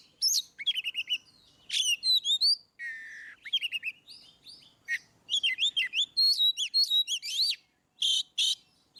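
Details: Oriental magpie-robin song meant to prompt reluctant birds to sing: rich, continuous varied phrases of clear whistles, rapid trills and buzzy rasps, notes sweeping up and down, repeated in dense bursts with brief pauses, no other sounds.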